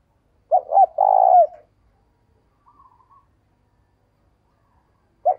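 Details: Morning call of a decoy spotted dove luring wild birds: one phrase of two short hoots and a long, level coo, a faint chirp after it, and the start of the next phrase at the end.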